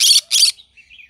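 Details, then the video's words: Green-cheeked conure at morning uttering two loud, harsh, buzzy squawks back to back, trailing off into soft whistled chirps. "Green cheek conure singing sounds in the morning"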